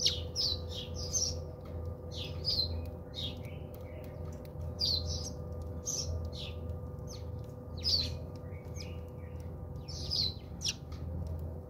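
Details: House sparrows bathing at a home in South Africa: bursts of short, bright chirps in quick clusters, separated by brief pauses, over a steady low hum and rumble.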